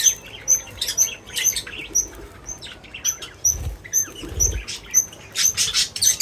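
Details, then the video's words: Feeding birds giving a rapid series of thin, very high chirps about twice per second, mixed with rustling and a few low thumps. "Crazy Birds Feeding Reaction : Birds Chirping Sounds"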